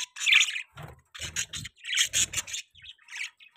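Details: Baby budgies chirping: a loud scratchy squawk opens, then rapid buzzy chirps and chatter with soft low bumps in the background.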